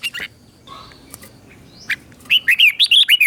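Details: Red-whiskered bulbul doubled teacher song, aimed at captive birds to copy. Scattered faint chirps lead into a clear closing run of about six bouncing, looping whistles.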